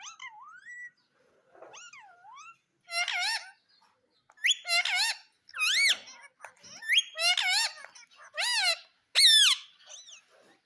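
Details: Indian ringneck parakeet kept as a talking pet that says mummy and papa, indoors: a run of about ten sharp, harsh, bending notes in quick bursts over ten seconds, some rising and falling like words, after softer wavering whistles at the start.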